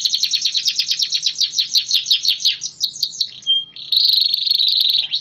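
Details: Caged AF-type canary in full song, its endurance built up through a regular outdoor airing routine twice a week; rapid trilled rolls of high buzzy notes repeated about three times a second, then a brief pure whistle and a dense churring trill.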